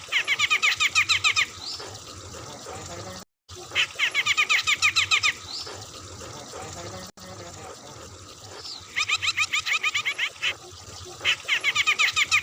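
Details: Bearded bulbul of the Medan type singing intensely in rapid, harsh 'shooting' bursts: dense runs of short buzzy notes repeated about every quarter second, separated by brief pauses, over faint background hiss.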